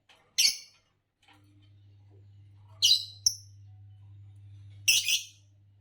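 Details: A green Fischer's lovebird gives three harsh, high chirping squawks about two seconds apart, over a low steady hum.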